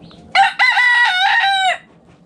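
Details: Backyard rooster crowing: a short clipped opening note, a brief break, then a long, loud, strained cock-a-doodle-doo held about a second, rich in harmonics, with quiet background otherwise.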